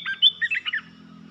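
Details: Caged red-whiskered bulbul delivering a rapid 'poet dok' song phrase: a short burst of five bright, warbled notes, slurred and bouncing in pitch, over a constant low hum.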